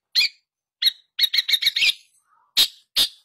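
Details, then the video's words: Vigorous long-tailed shrike lure for a bird that has gone quiet: two separate harsh notes, then a quick stuttering run of five or six chattering notes, a faint low whistle, and two final rasping bursts. "Pancingan SUara pentet Gacor untuk mengatasi pentet yang macet bunyi"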